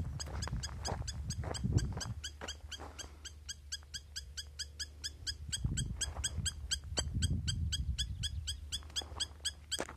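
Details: Insistent calling of a spur-winged lapwing: a long run of sharp, bright, metallic notes, about four each second, sustained for ten seconds against low rumble and occasional brushing noises.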